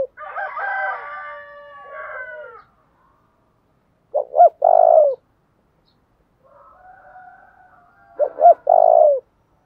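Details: Spotted dove coos for stimulating decoy birds: a rich, harmonic drawn-out sound first, then two clear phrases of two quick notes and a low rolling coo, about four seconds apart.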